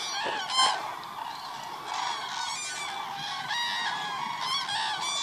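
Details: Cranes at the Hula Lake, 30 December 2014: a continuous chorus of many rolling, trumpeting calls, a sharp nearby call near the start, then waves of distant flock noise.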